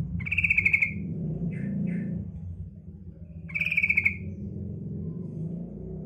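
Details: Female yellow-vented bulbul lure call for males: two pulsed churring rattles separated by soft paired chirps, over a constant low rumbling background noise.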